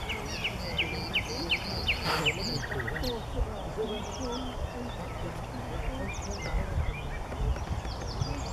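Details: Nightingale (Luscinia megarhynchos) in song at Paxton Pits, Cambridgeshire, late April 2016, with bursts of quick clipped notes repeated in short runs, a brief buzzy chord, and pauses between phrases against a steady low hum.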